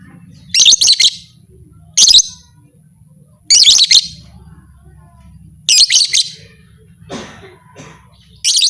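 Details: Lovebird sound claimed to rouse other lovebirds into fighters: five bursts of shrill grating chatter at uneven intervals, plus a low constant hum and a faint brief rustle.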